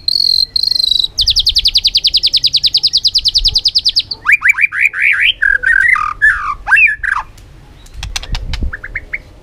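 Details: White-rumped shama singing many forest voices: a loud steady whistle, then a long fast buzzing trill, followed by varied slurred whistles rising and falling and sharp clicking notes trailing off.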